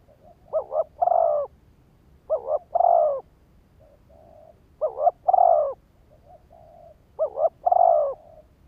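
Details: A spotted dove used as a decoy to draw in wild males gives four phrases of a brisk double coo and a sustained coo, soft low coos filling the gaps.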